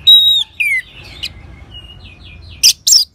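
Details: Clear whistled notes and a falling slur open this orange-headed thrush song, used to encourage other birds to sing. Quiet twittering follows, then two loud harsh bursts near the end.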